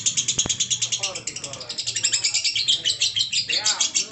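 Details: Lovebird ngekek heard as an unbroken, shrill run of rapid pulses, with people chatting quietly underneath and a short knock near the start.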